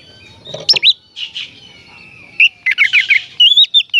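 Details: Oriental magpie-robin singing in full voice, used to stir up other magpie-robins and make them open their tails: loud, rapid whistled notes twisting up and down, with scratchy trills and brief gaps between bursts.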